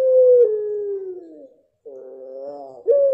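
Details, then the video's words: End of a drawn-out coo from a mottled pelung dove, gliding slowly downward and fading. A short pause follows, then a nasal harmonic note and the sharp loud start of the next coo. "Puter Pelung Blorok 100% Joss"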